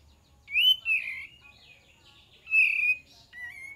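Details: Olive-winged bulbul lure song, two loud slurred whistled phrases about two seconds apart, each rich and bubbling, followed by a softer short rising whistle.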